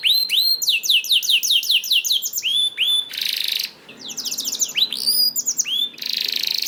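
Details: Canary singing to prompt other canaries to sing: clusters of quick looping whistled notes alternating with dense harsh buzzy trills and clear upslurred whistles, in a lively stop-start pattern.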